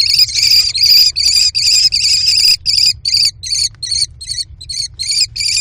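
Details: Four nestling American kestrels in a nest box scrambling and tugging over food their mother delivered, screaming throughout: shrill, rasping high squeals in quick succession, first almost continuous, then breaking into separate bursts, over a faint low rumble.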